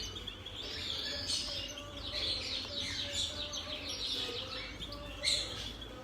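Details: Turquoise parrot (Neophema pulchella) chicks at a 2020 Cardinal world bird exhibition, begging with dense, raspy, high chirps in rapid bursts about once a second, over a steady low hall hum and faint background talk.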